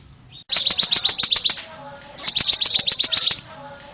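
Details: Bar-winged prinia with two bursts of rapid, piercing, high-pitched ticking notes, each about a second long, separated by a quieter gap.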